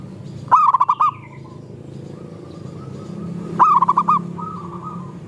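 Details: Zebra doves, local and Bangkok birds, singing together to set off other doves. Two loud trilled coo bursts come about three seconds apart, with fainter drawn-out coos from more distant birds after each.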